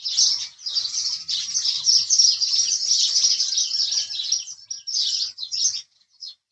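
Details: House sparrow chirping as a dense, almost unbroken chatter of overlapping scratchy notes that thins into a few separate chirps near the end.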